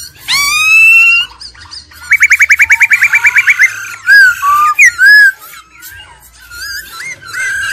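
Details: Laughingthrush song in an old forest-bird style with female trilling, meant to excite birds: a long rising whistle, then a rapid run of about thirteen loud even notes, followed by slurred whistled phrases.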